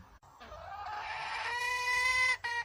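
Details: Wild red junglefowl hen holding a loud, strained, rising nasal note for nearly two seconds, ending with a short extra burst.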